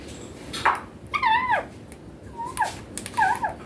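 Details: Young green Indian ringneck parakeet said to talk clearly, saying mummy papa in Hindi; a run of short harmonic phrases, some falling, some wavering, spaced through the clip with small clicks.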